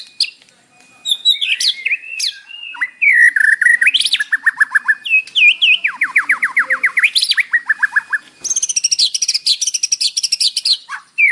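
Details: Isian-style song of a white-rumped shama played in the morning to trigger captive birds to respond: long loud phrases of fast repeated downward-sweeping notes, rich whistles, then a high buzzy rattling sequence near the end.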